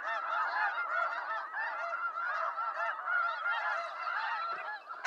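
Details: Snow geese, wild, eastern North America, honking together in a busy chorus of overlapping yelping calls; a sharp knock-like noise cuts in right at the end.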